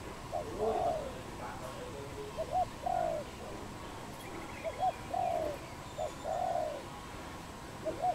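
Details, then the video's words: Wild dove in Cambodia, 24 April 2020, cooing in clear separated phrases: a quick double hooked note followed by a longer soft rolling coo, repeated every couple of seconds against quiet background. "គូស្នេហ័លលក | Dove, นกเขา"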